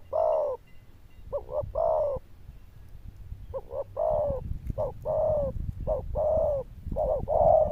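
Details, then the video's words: Zebra dove, described as having a loud bell-like tone, cooing in bursts: paired short notes, each followed by a drawn-out coo, over rumbling low background noise. "Đồng Chuông Lớn Tiếng, Nước Gù khá Tốt"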